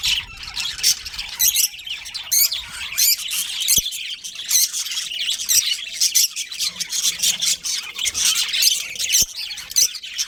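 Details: Budgerigars in a colony with a breeding pair, chattering nonstop in rapid high-pitched chirps and scratchy squawks overlapping from many birds, with a faint steady hum beneath.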